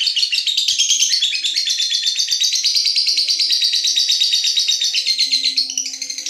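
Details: At night, a lovebird keeps up its ngekek, the drawn-out chattering song, a fast, continuous rattle of sharp high twitters about three per second, steady in loudness throughout, over a soft low background tone.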